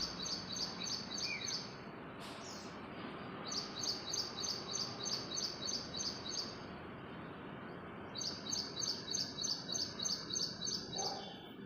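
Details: Early-morning bird chirping: three bursts of rapid, evenly spaced high chirps, about six to eight notes each, over a steady hiss of outdoor background noise.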